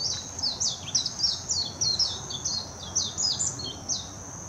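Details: Warbling white-eye in full song at Hashimoto, Wakayama Prefecture, Japan, 26 June 2021, recorded on a Nikon Coolpix P900: a long, hurried string of high, sweet chirps and downward slurs tumbling together into a continuous jumbled warble.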